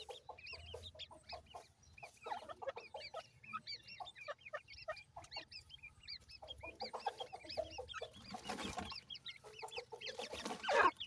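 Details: Several dakhni teetar, or grey francolin, chicks chatter in thin arched chirps for eleven seconds, thick at first, thinning midway, with a rush of noise near the end.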